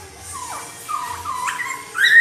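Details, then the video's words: Short burst of laughingthrush song used to coax another laughingthrush into answering: a falling whistle, a level whistled tone, then a sharp bright rising note at the end. "KICAUAN POKSAY YG MERDU MEMBUAT POKSAY LAIN LANGSUNG NYAUT"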